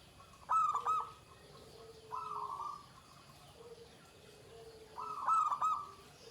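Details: Shrill 'ke tek kuk' song of a Pendowo Mijil zebra dove: two loud stuttered coo phrases several seconds apart, a softer level coo phrase between, and quiet low-pitched cooing running in the background.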